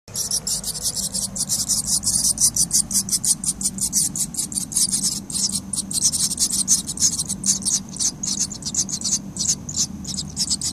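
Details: Swallow nestlings in their nest beg with a constant, harsh, high chatter of rapid raspy chirps, several voices overlapping, over a faint low hum.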